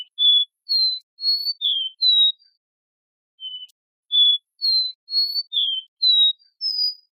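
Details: Captive-bred copper seedeater repeats its song twice: a phrase of five or six clear high whistles including a downslurred note, a soft lower whistle in the pause, then the same phrase again ending on a rising high note.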